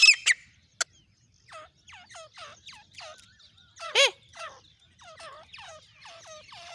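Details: Female grey francolin (dakhni teetar) of Pakistan and India, calling non-stop for hunting. Harsh, harmonic notes swoop downward and repeat about twice a second. Loud broad bursts come at the start and near the middle.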